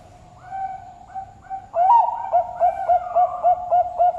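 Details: A 2.5-year-old captive zebra dove (perkutut) at a bird farm in Sidoarjo, East Java, Indonesia, gives a few soft low hoots, then a brisk run of rolling, bubbling coos repeated about three or four times a second.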